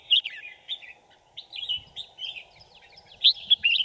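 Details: Red-whiskered bulbul singing as a lure for wild birds at a trap, 5 January 2018; short warbled and whistled phrases, each about a quarter-second, come in clusters with brief pauses, against a steady background drone.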